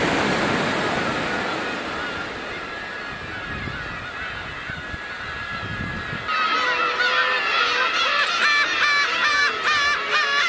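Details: A flock of black-tailed gulls (Larus crassirostris) at Kabushima, Japan, on New Year's Day 2015, in record winter numbers, gives overlapping nasal, cat-like mewing calls, thickening into a steady clamour after a hiss of surf or wind.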